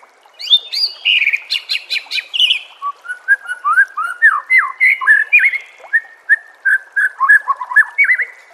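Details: Master song of a white-rumped shama, recorded for training caged birds: clear whistled phrases that open high, then settle into a lower, steady series of looping notes repeated about twice per second.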